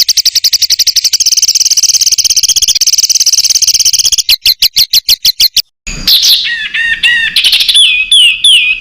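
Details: Indonesian masteran song for competition birds, full of close rapid-fire fills; a sustained buzzy trill, then spaced staccato notes, a silent cut, and a varied run of descending whistled slurs.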